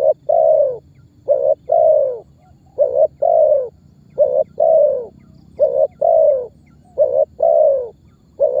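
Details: Tekukur, the spotted dove, giving a lure call meant to start other birds calling; steady run of about seven phrases, each a short note and a longer descending coo, evenly paced.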